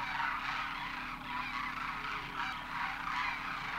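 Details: A huge flock of Demoiselle cranes, locally Koonj, arrives at a water hole in Khichan, Rajasthan, on winter migration from beyond the Himalaya. Countless rolling, honking calls overlap into a steady, swelling chorus.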